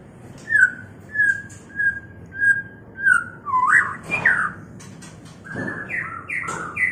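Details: White-rumped shama in mating condition: a series of clear short whistles repeated about every 0.6 seconds, then louder rising and falling swooping phrases and higher slurred notes.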